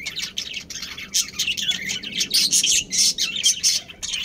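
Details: Budgerigars, a breeding pair of Australian parrots kept with their family, give dense, rapid high chirps and scratchy warbles in overlapping bursts with short gaps between them.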